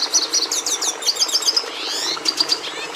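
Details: Short burst of red siskin (Carduelis cucullata) song: bright high chirps, rising buzzy slurs, then a few clear repeated whistled notes.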